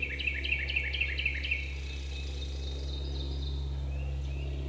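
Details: Young male wild turkeys (jakes), one of four that came in during a spring hunt in Georgia woods at about 30 yards, gobbling: a quick series of rough, falling notes, about four per second, over a steady low hum.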